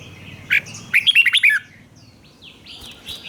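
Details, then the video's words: Red-whiskered bulbul song for young birds to copy: a single note, then a rapid string of five or six clear whistled notes, followed by quieter high chirping from other birds. "นกหัวจุกนกร้องริก เบิ้ล3 เปิดให้นกฟังก๊อปติดง่าย"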